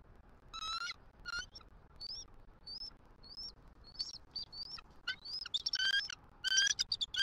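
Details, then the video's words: Wild bald eagle female on a Southwest Florida nest cam, 6 November 2023, calling out to her mate for a nest shift change: a run of high, thin chittering whistles that grows louder and faster toward the end. "SWFL EAGLES ~ FEEL THE PEAL! 🪶 👑F23 CALLS OUT! 🦅📢 MR. MOM RESPONDS!"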